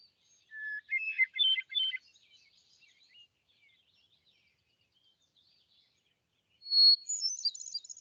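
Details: A hermit thrush in Vermont sings two flute-like phrases, each opening on a long clear note and rising into a fluttering cascade, the second phrase much higher; thrushes can sing two notes at once.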